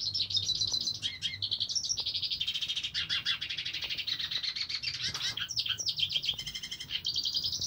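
A hooded siskin sings a long, rapid, twittering song of high buzzy trills and chirps, running without pause, with a faint low hum beneath.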